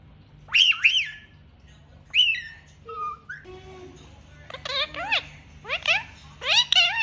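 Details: Parrot speaking, imitating human speech: sharp harmonic upswept squawk-like syllables, two early bursts then a faster run of arched, wavering notes toward the end, over a low steady hum.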